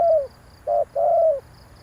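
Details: Spotted dove cooing used as a lure to excite decoy birds: the tail of one falling croon, then a short note and another long, hoarse, gently falling coo, over a steady high insect pulse.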